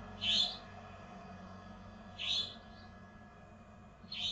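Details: Strange-sounding bird calling with short, high squeaky notes repeated about every two seconds, each a brief bright chirp, against a continuous low background hum.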